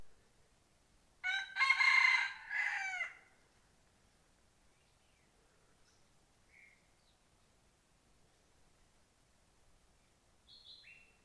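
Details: Decoy red junglefowl kept to draw in wild birds, 12/1/2021. One strong crow of about two seconds, a sustained middle section ending in a downward tail, followed by quiet with scattered faint chirps from other birds.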